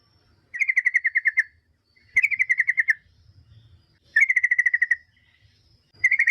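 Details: Lure song of the yellow-vented bulbul, meant to make other bulbuls call back: repeated bursts of fast, evenly spaced chattering notes at mid-high pitch, each around a second long, coming every two seconds over quiet low background rumble.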